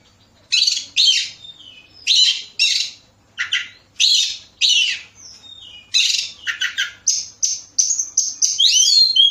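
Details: Oriental magpie-robin song used as a lure to get other birds singing: loud varied bursts of harsh scratchy notes and clear high whistles, in phrases about every half second, ending with rising and falling whistled runs.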